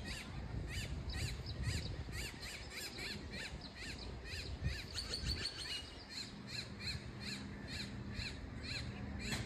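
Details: American coot chicks near San Diego giving a fast, steady series of short, high, rising peeps, roughly three per second, over low outdoor rumble.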